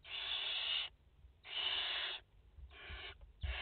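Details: Four barn owl chicks and their mother in a French nest, 30 August 2021: long, steady, hoarse hisses close together, then shorter ones, soft knocks in the background.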